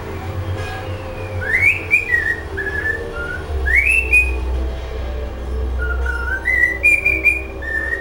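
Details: Singing pet cockatiel rehearsing its favourite melody: two rising whistled swoops each falling away in stepped notes, then a climbing run of short whistles, over a low rumbling background hum.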